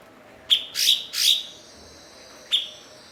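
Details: Blue-winged leafbird, a mimic kept to tutor other songbirds: a crisp chip followed by two broader ringing notes, a pause, then one more sharp chip.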